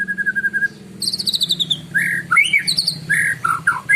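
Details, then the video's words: White-rumped shama singing in the morning, a song used to lure other birds: a steady note, then high rapid trills and varied whistled, sweeping phrases with buzzy accents, over a low hum. "Kicauan burung murai pagi hari bagus untuk pancingan"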